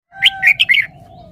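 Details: Red-whiskered bulbul showing off a song phrase: a quick run of four bright, slurred whistled notes in under a second, with a faint steady low tone in the background.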